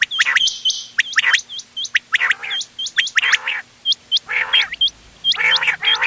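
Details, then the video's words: Quail calls in a mix for hunting, dated 31 October 2025. Rapid crisp rising whistles repeat steadily, then give way to three fuller, nasal, buzzy bursts near the end. "بٹیروں کی مکس آواز quail bird sounds for hunting bater ki awaaz"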